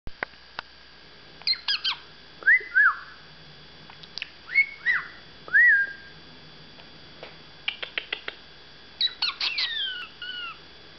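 A budgerigar gives bright rising whistles mixed with sharp chirps and short scratchy chatter notes.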